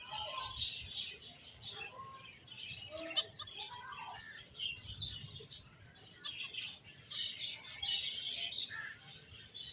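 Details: A flock of finches keeps up steady high chirping, clusters of quick, thin tweets rising and falling in loudness, with a few lower soft notes mixed in and a light background hum.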